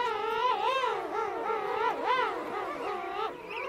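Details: Close-up of an adult king penguin calling within a colony of adults and chicks at Right Whale Bay; a rich, harmonic, warbling trumpet call that wavers up and down continuously, with sharp upward swoops near the start and middle.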